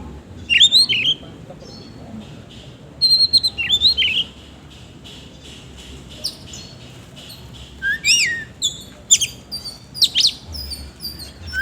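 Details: Oriental magpie-robin in the ngobra singing style with rough isian kasar fill-ins, heard as short bursts of whistled slurs and chips separated by long quiet stretches, busier scratchy notes near the end.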